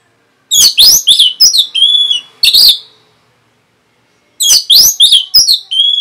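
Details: Orange-headed thrush, a kept bird, giving rapid 'rapet' song meant to rouse other birds: dense bursts of sharp, slurred high notes and short whistles, a silent pause of over a second, then another fast burst ending in a flat whistle.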